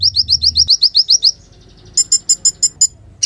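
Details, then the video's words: Sunbird song played to teach other songbirds: a quick series of sharp, high, evenly spaced notes, then a short pause and a chattering run of high clipped chips ending abruptly. "KOLIBRI GACOR UNTUK MASTERAN KOLIBRI MACET DAN BURUNG KICAUAN"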